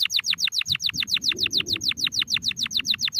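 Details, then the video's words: Domestic canary repeating one sharp, downward-sweeping note about six times a second in a steady, even tour, with a soft low hum underneath. "canary singing | canary songs | canary sing | canario canto Para ensinare | كناري"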